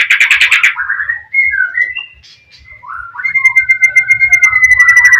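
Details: Oriental magpie-robin in gacor singing style, played to provoke a rival to answer: a burst of rich chattering notes, then long clear whistles and slurred phrases with a pause in the middle, ending in a sustained whistle over faint ticking.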